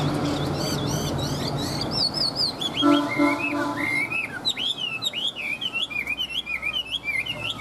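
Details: Caged Chinese hwamei in Vietnam, in breeding condition: after a muffled, noisy start, a lively run of looping, rising-and-falling whistles builds into rapid, repeated phrases with sharp upward flicks, lasting several seconds.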